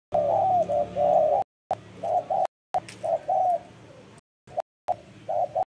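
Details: Spotted dove, described as a keen cooer, giving soft hollow coos in short bursts, broken by abrupt silent cuts, over a low background hum.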